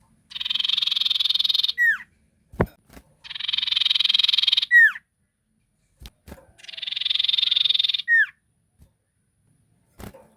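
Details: Sirtu lure song, used to make other sirtu answer: loud buzzy rapid trill about one and a half seconds long, ending in a sharp downslurred whistle, repeated every three seconds or so, with occasional clicks between phrases.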